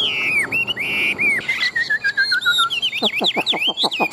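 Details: Chinese hwamei, tame and big-bodied, kept for competition singing: bright curling whistles, then a quick descending string of short notes, then a rapid series of dry clicking strokes beneath higher whistled phrases.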